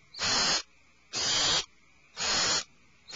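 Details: Three long, breathy hissing screeches from alarmed owlets inside a nest cavity, evenly spaced about a second apart.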